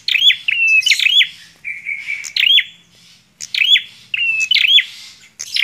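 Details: Bar-winged prinia in full, lively song: rapid clicky chirps alternating with drawn-out buzzy trills. A long trill near the middle precedes a short silence, then more chirp-and-buzz phrases. Quiet background.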